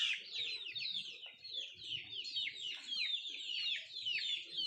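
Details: Country chickens (nattu kozhi) feeding: a dense, continuous chorus of many high, thin, downslurred peeps that overlap almost without pause, with faint low scratching and pecking underneath.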